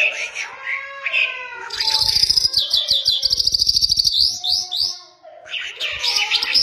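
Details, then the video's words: Mashadi lark, an Iranian bird known locally as jal, singing: a rich run of varied chirps, trills and rapid buzzy notes in quick succession, with a brief pause before more warbling phrases. "Mashadi larks lunda jal full Sining"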